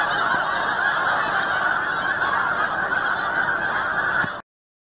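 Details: First wave of snow geese flying in to roost at dusk-time arrival, Forsythe NWR, New Jersey, shortly before Christmas: a thick mass of clamorous honking from a large flock that runs steadily, then cuts off abruptly to silence near the end.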